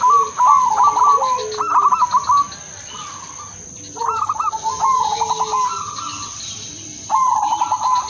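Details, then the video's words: Zebra dove of the udanmas silver crosing strain, a melodious lure song meant to get other zebra doves singing: stuttering trilled coos, each phrase a rapid burst of clipped notes with lower soft coos between, plus steady high electronic whine. "perkutut/merbok udanmas silver crosing irama merdu spesialis pancingan bikin semua perkutut manggung"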